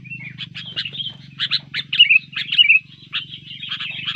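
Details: Sooty-headed bulbul provoked into fighting mood, delivering a busy run of clipped chirps and quick downslurred whistles, nearly two notes per second, with a low mechanical hum beneath.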